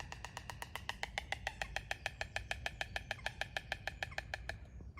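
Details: White storks at Vondelpark, Amsterdam, in 2022, clattering in the early morning as many storks gather. A fast, even rattle of dry wooden knocks, roughly seven to eight per second, runs for nearly five seconds before stopping abruptly.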